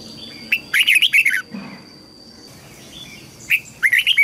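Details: Two lively warbling phrases from a red-whiskered bulbul in a song-training recording for juvenile and newly caught birds, each a fast string of rising and falling whistled notes, separated by about two seconds of quiet with a faint constant whine.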